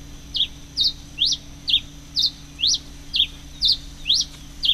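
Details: Red-crested finch, recorded on 22 October 2008, giving sharp high chipped notes about twice a second in a steady series, over a faint constant hum.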